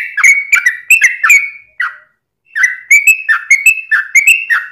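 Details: Yellow-vented bulbul pouring out fast, extended song meant to prompt other birds to reply: quick slurred whistled notes in a rolling series, broken by a clean half-second pause before the chain resumes.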